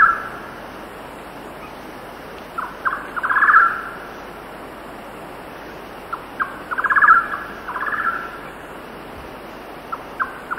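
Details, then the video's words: Golden-naped barbet singing at 6,000 feet on a windy day: short, swelling bursts of rapid trilled notes, each led by a few single clicks, repeated about every three and a half seconds over a steady wind and cicada hiss. "Golden Naped Barbe / Golden-Naped Barbet. Song"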